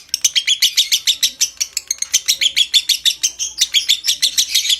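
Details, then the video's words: Lovebird producing a long ngekek trill intended to bring on breeding condition; harsh, rapid, high-pitched chattering pulses that run on evenly, with one brief pause midway. "Suara Masteran Burung LOVEBIRD Konslet Ngekek PANJANG Merangsang Birahi"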